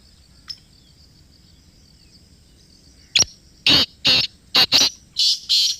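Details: After three quiet seconds, a sharp click, then a black francolin (kala teetar) close by gives about six harsh grating notes, the middle ones paired quickly, the last two longer and evenly spaced.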